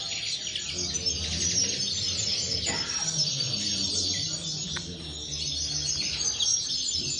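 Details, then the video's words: Steady high twittering from aviary linnets, many quick chirps and trills overlapping in a busy stream, with a faint low hum below. "corona pardillos"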